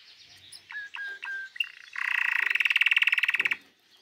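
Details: Canary singing a bright, high song: a few clear whistled notes, then a fast, even trill of rapidly repeated pulses lasting about a second and a half, recorded clean with no other sounds.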